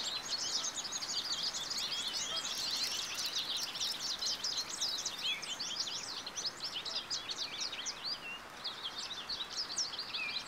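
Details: American goldfinch pouring out a lengthy, rambling twitter of high chips, trills and downslurred notes, loud and dense at first, thinning slightly toward the end, with constant soft background noise.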